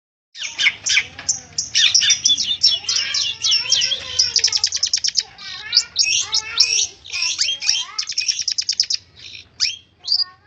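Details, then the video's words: Long-tailed shrike in persistent song: a dense, fast stream of high, scratchy chattering notes and sharp chirps, nearly unbroken for ten seconds, with a few short pauses near the end and a faint low hum underneath. "burung cendet bunyi ngotot"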